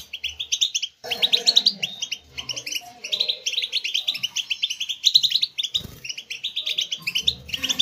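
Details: European goldfinch song used to stimulate captive goldfinches to sing: rapid, liquid twittering of bright chirps and short trills, dense and continuous with a brief pause near one second, faint low rumbling beneath.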